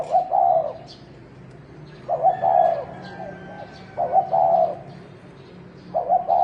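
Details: Fighting calls of a wild field spotted dove: four throaty coo phrases, each with a quick stutter and a longer drawn note, spaced about two seconds apart.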